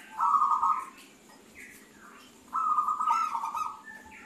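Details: Zebra dove of local wild stock in long 'crystal' song, meant for tutoring and luring other birds: two rich, rolling coos about two and a half seconds apart, with faint chirps between them.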